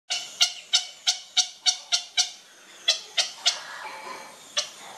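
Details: Grey heron chick being fed, giving a rapid series of harsh, clicking begging notes, about ten sharp pulses in quick succession, then a short pause and a few more scattered notes.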